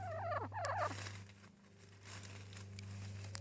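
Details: Hen in a little tunnel giving a quick series of wavering, falling nasal notes in the first second, followed by rustling, scattered taps and a constant low hum.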